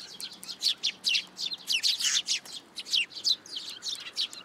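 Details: Several sparrows coming to a plum tree at a Tenmangu shrine to be fed, June 2022: a dense chatter of short, high, sharp chirps, overlapping and uneven, almost continuous.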